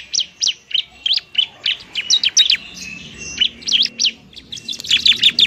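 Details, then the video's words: Bar-winged prinia singing in fighting mode, a lure for coaxing lazy birds to call: evenly spaced high chirps roughly twice a second, then a faster, denser flurry at the end. "ciblek TARUNG mantap buat pikat dan PANCINGAN ciblek semi malas bunyi"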